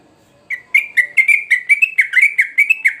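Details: Sooty-headed bulbul singing: a steady run of about twelve short, clear, slightly rising notes, roughly five per second, each bright and sharply cut off, with a quiet background.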